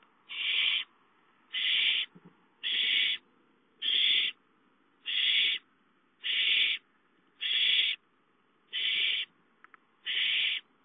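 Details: Owls at their nest on 5/5 as a gopher is brought in at 8:53 and a young one steals it; nine even, raspy hisses repeated about every second in a steady rhythm.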